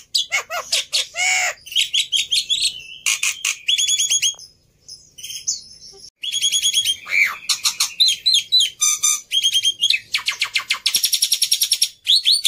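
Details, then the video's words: Black-winged myna in lively song, used as a lure for fast singing. Varied phrases mix falling whistles, high trills and rapid ticking chatter, broken by a short pause, then dense, fast rattling runs. "Sangat Ampuh Memancing Burung Jalak Putih Bahan Cepat Bunyi Anti Mandek || Jalak Putih Gacor"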